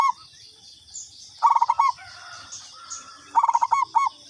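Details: Local katuranggan zebra dove calling as a lure, with two bursts of rapid beaded cooing, each closing on a couple of separate soft notes, nearly two seconds apart, plus faint chirps and an insect drone.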